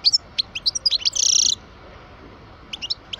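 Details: European goldfinch, parva, aged 12, delivering rapid high tinkling notes that build into a buzzy rasping trill, then pausing before a few more quick chirps.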